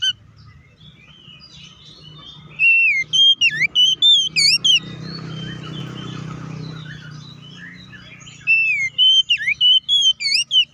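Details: Oriental magpie-robin, lure song for rivals: after a quiet start, loud bursts of whistled slurs and sharp chips, a softer muffled stretch in the middle, then another bright whistled run.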